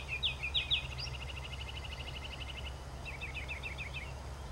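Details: Ruby-crowned kinglet giving a few high sharp notes that run into a fast even series of thin high notes for about two seconds, then after a pause a looser burst of quick slurred high notes, over a steady low rumble of traffic.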